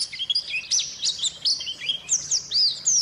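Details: White-eye lure song for birds that have gone quiet: irregular thin chirps and slurred whistles, some lower and buzzier notes early on, then clearer high downward-sweeping whistles toward the end.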